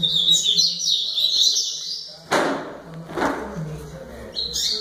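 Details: Double-collared seedeater giving high, tumbling twittered phrases, then two loud bursts of handling noise, before the sweet, high notes return at the end.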